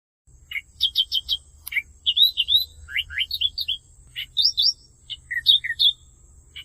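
An Australian reed warbler sings a rich, varied run of sharp chirps and slurred notes, often repeating a note several times quickly, over a steady high hiss and low rumble.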